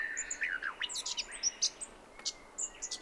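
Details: Thin high twitters and quick chirps from a Brown Thornbill at 7am, 29 December 2011, Mt Hotham, Victoria, Australia, among steady whistled notes of other birds such as Grey Shrike-thrush and honeyeaters.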